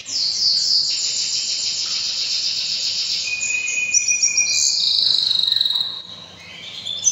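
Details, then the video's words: Canary in breeding season singing loud extended rolling trills and buzzy tours, pitch stepping between phrases, fading near the end before a final note. "Canary bird most powerful singing during breeding season"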